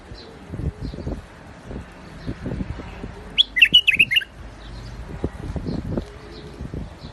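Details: Among rooftop gardens a white-eared bulbul, called the Iraqi bulbul, sings a single burst of lively tumbling whistles midway, amid repeated low dull knocks and rustling background noise.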